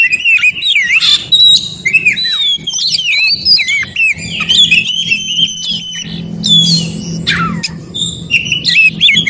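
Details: Wild Oriental magpie-robin song from the forest, played to make other magpie-robins answer: dense varied warbling with swooping whistles and squeaky notes, one steep downward slur, steady low hum underneath.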